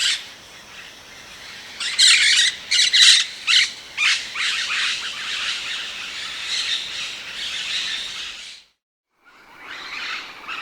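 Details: Rose-headed parakeet with quick, harsh screeching notes in a stuttering series, then a sustained rough chatter, a brief silence, and more scratchy calling.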